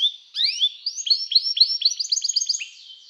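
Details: Canary singing to call other canaries to sing, a song used for training canaries: a quick climbing chain of short upswept whistled notes that rises into a rapid, higher rolling trill. No other sounds.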